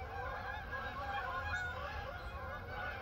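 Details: Flock of Canada geese gathering to head south, many birds honking at once in a rapid, overlapping chorus of nasal calls over a low background rumble.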